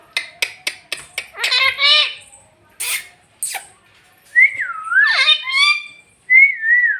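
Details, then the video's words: A pet talking parrot: sharp clicks in a quick series, then speech-like squawky phrases and loud swooping whistles that rise and fall, ending on a sliding whistled note. "Bhojpuri talking parrot"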